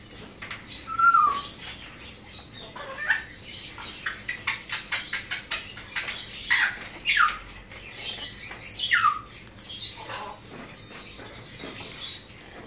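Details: Tame, hand-reared young blue-winged macaws, a captive female and male born in 2017, give scattered harsh squawks with short downslurred notes amid rustling and chattering.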